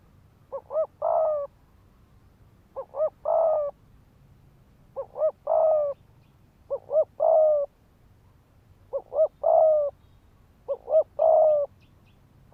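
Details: Spotted dove decoy calling in 'thúc gù' style to provoke males into fighting: six similar phrases about every two seconds, each two quick hoots then a sustained coo, slightly softer.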